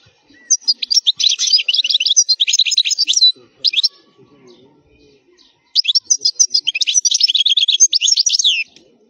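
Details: European goldfinch singing a strong wild khalwi-style song used for teaching young goldfinches, said to be error-free: two long bursts of fast, high, tinkling twitters and buzzy trills, separated by a short isolated phrase and a pause with faint low murmurs.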